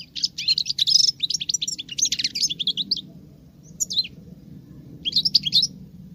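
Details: European goldfinch, a female, delivering male-like song: a fast run of liquid, high chirps and trills for three seconds, then two shorter twittering bursts after a pause.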